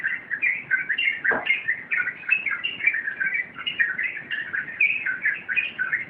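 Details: Sooty-headed bulbul singing in the rompelan style: a dense, unbroken stream of rapid chattering and warbled notes, mid-pitched and constantly shifting, with no pauses and a soft background hiss.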